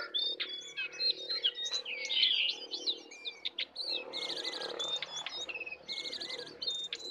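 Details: Sooty-headed bulbul, wild bird against caged bird, full filler song: scattered sharp whistles and downslurred notes, later a stretch of rapid buzzy trilled phrases, over a faint steady background hum.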